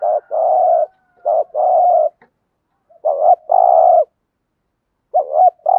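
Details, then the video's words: Spotted dove coos used to stimulate other doves to call, several long grating coos in quick succession, then hooked double notes each followed by a sustained buzzy coo. "cu cườm gù thúc bài bản giúp bổi rất xiếng gáy"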